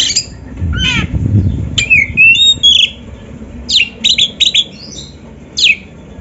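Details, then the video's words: Oriental magpie-robin (kacer) song played to prompt other kacer to sing: scratchy descending notes, then a loud run of sharp, rapid, high whistled chips and sweeps, bursts separated by short pauses. "SUARA BURUNG KACER MASTERAN"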